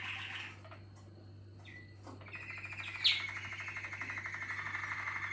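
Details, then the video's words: Malinois Waterslager canary, a contest team bird, starts softly with scattered notes, then launches into a long, fast, even rolling trill that carries to the end; a low hum runs underneath. "malinois Waterslager"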